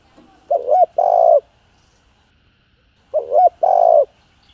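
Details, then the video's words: Spotted dove cooing in calling and urging styles, played to spur newly caught doves to call. Two identical phrases, each a quick bent coo and a longer steady hoot, repeat about three seconds apart. "Tiếng Cu Gáy Giọng Hạp BổI ĐỦ BÀI [ GÁY GỌI,THÚC,GÙ ]Kích Bổi Nhanh Nổi"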